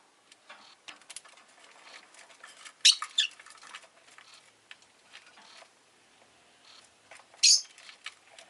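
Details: Pet rosy-faced lovebird indoors giving two loud, harsh, high chirp bursts several seconds apart amid steady soft clicking and rustling sounds.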